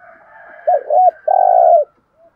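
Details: Decoy spotted dove calling to attract wild doves, thúc gù style: soft background cooing, then two short bent coos and a long, strongly burred final coo.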